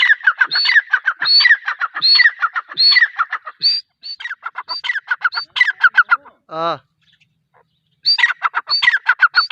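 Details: Repeated ringing call phrases from a female grey francolin, short notes alternating with higher slurred whistles. The series pauses midway, a single descending sweeping sound is heard, then the calling resumes.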